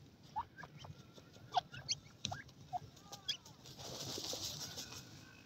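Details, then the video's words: Young francolins at play: short, high, scattered peeps and a few brief rising whistles, irregularly spaced, with soft clicks and steady background hiss that swells near the end. "motay teetar ki awaz,Fat children of feeble pheasants are playing"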